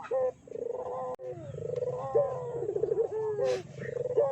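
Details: Barbary dove calls used as a lure to provoke other doves into calling: several low, rolling, purring coos, some with a brief sharp rise, overlapping in a steady chorus with faint background hum.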